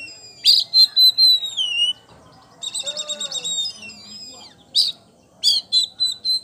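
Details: Champion Oriental magpie-robin, poci type, singing in ngeplong style: sweeping falling whistles, a fast series of clipped repeated notes about four per second, then further loud high chips and whistles.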